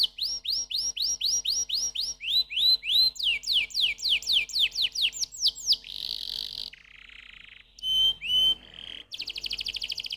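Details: Canary in full song, first repeating rising whistled notes at a steady pace, then faster downward slurs, a dense buzzy roll, a low rasping trill and a few pure whistles, ending in a fast, bright rattle.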